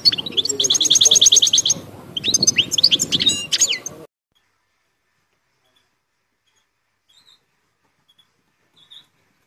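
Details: Caged European goldfinch, eight months old, singing: rapid twittering with buzzy trills and tinkling notes for about four seconds, then near silence with a few faint distant chirps.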